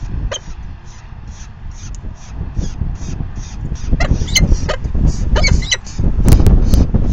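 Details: Falcon begging at the nest at feeding time, 4:40 PM, May 9, 2020, the fifth feeding; a fast run of short, high, hissy calls, about three or four a second, with thumps and rumble beneath.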